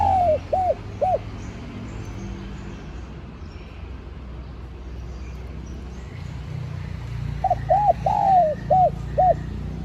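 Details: The end of one spotted dove phrase opens, then quiet rumble, then a fresh run of soft rising-and-falling hoots; the call is played to attract wild doves.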